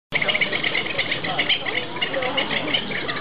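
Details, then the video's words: Captive Pied avocets at Ueno Zoo, Japan, giving bright clipped chirping notes in quick, irregular bursts, overlapping one another, with a murmur of voices underneath. "Pied Avocet sing.ソリハシセイタカシギのさえずり。"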